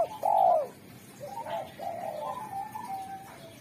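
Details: Spotted dove (derkuku) with a sharp, clear voice that calls wild doves: a loud rolling coo opens, followed by a run of quieter level coos from other doves.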